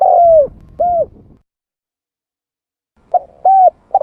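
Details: Spotted dove calling as a bird lure. A long falling coo is followed by a shorter rounded coo, then after a gap a clipped series of brief coos begins. The recording is otherwise quiet.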